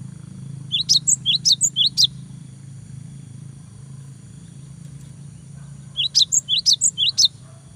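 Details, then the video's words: Singing cinereous tit meant to goad a rival into answering: two bursts of about seven sharp, high, quickly repeated whistled notes, several seconds apart, over constant low hum. "GELATIK BATU GACOR BIKIN LAWAN EMOSI !!! LANGSUNG NYAUT !!"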